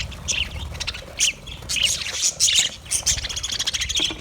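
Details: Budgie aviary, Australia: overlapping squawks, rising chirps and scratchy warbling from a group of birds, loud bursts scattered through, low background hum.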